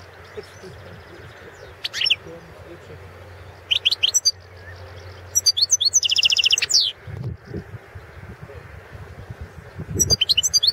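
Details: Balkan European goldfinch entered in the 2016 world song championship; scattered short high twitter bursts, one longer trilled phrase near the middle, and low thumps and room noise between phrases.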